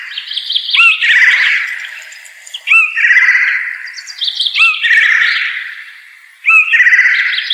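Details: Blue jay (Cyanocitta cristata) repeating coarse, nasal, scolding jay calls, each about one and a half seconds long with a clicky start, four calls in steady rhythm.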